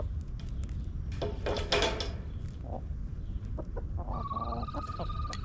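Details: A backyard coop: a burst of broadband rustling and scattered clucks, followed by a rooster's sustained, steady crow rich in harmonics, all over constant low background rumble.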